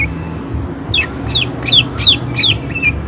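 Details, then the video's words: Greater green leafbird singing actively in rough, harsh bursts with high emotion: a quick run of bright, sharply down-slurred whistled notes, about three per second, over a steady low hum. "Cucak ijo gacor tembakan suara kasar emosi tinggi"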